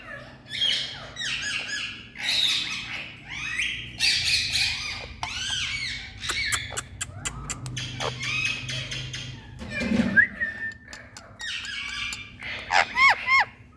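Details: Parrot in India chattering at length: harsh screeches, squeaky arched notes and sharp clicks in dense irregular bursts, with a low hum beneath.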